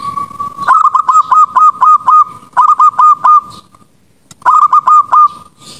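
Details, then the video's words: Night-time zebra dove lure for training doves: three bursts of quick, clipped cooing notes, about four per second, steady in pitch with short pauses between bursts. "pancingan perkutut malam hari"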